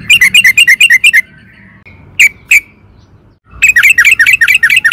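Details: Sooty-headed bulbul (trucukan) in rousing song: a quick series of bright chirps, two sharp single notes, then another rapid bubbling run.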